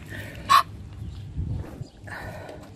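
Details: Canada geese being hand fed: a sharp, loud burst with a harsh nasal tone, flanked by two short, higher nasal honks with overtones, over a low rumbling background.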